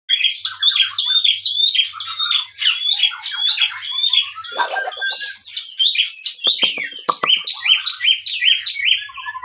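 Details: Captive white-rumped shama from a breeding facility, singing as a lure to stimulate other birds; loud varied whistled and chattering phrases, dense and continuous, with a few sharp clicks.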